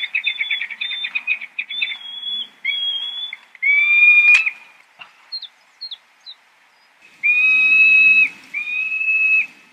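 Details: Peregrine falcon calling: a stuttering run of quick high notes, then long drawn-out whining wails that hold a steady pitch, broken by brief chips and pauses.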